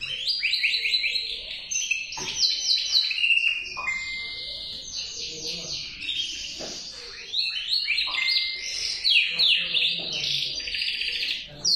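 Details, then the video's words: Male canary sings a long, unbroken, high-pitched song of fast rolling trills, chirps and held whistled notes, rising and falling in bright bursts. "KUŞ SESİ - KANARYA SESİ - ERKEK KANARYA"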